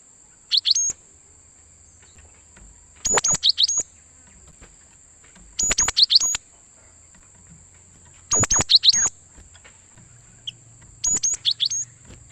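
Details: Gelatik batu, the cinereous tit, calling as a trapping lure for wild birds: five clusters of bright, clipped high chips and twitters spaced about 2.5 seconds apart, a faint low hum underneath and a constant high whine.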